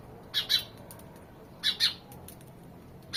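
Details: Two clear doubled chirps from a house sparrow, roughly a second and a half apart, with faint ticks between them and a quiet background.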